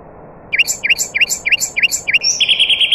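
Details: Nightingale song, heard among other birds: a half-second pause, then six sharp V-shaped whistled notes repeated about every third of a second, ending in a fast buzzy rattling trill.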